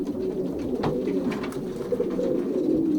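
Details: Pairing racing pigeons indoors in a young-bird loft, Poland, 2023: overlapping low coos rising and falling in a constant chorus, several birds calling at once, with a sharp tap near the middle.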